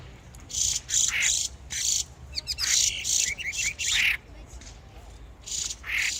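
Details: Spring songbirds calling with repeated harsh, scratchy chirps in uneven bursts of roughly half a second, some notes sliding downward, with faint low rumble behind.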